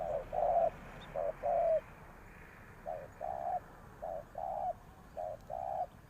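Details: Spotted dove used as a pikat decoy, cooing to attract wild birds; paired low hoots, a clipped note then a longer throaty one, repeated in four phrases, louder at the start.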